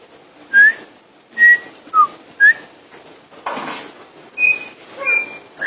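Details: Common iora song: four clear whistles, rising or falling, about half a second apart, followed by a noisy burst and several flat higher whistled tones.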